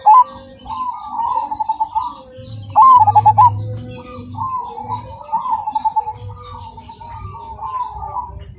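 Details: Cemani zebra doves singing: overlapping bubbly coo phrases with stuttering pulsed bursts, while a faint high chirping from other birds runs throughout.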